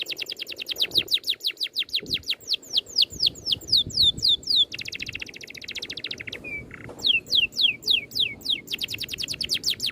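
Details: Tight rolling bird song for training other birds: quick repeated high downslurred whistles, a long buzzy trill, one short clear whistle, then more rapid slurred notes and a closing trill, with faint low background noise.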